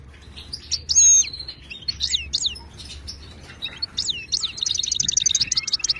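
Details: Wild Moroccan goldfinch singing a training song in Widani and tbitba styles, meant to coax silent caged birds into song; sharp high chirps and swooping notes, then a fast tinkling trill of evenly repeated notes at the end.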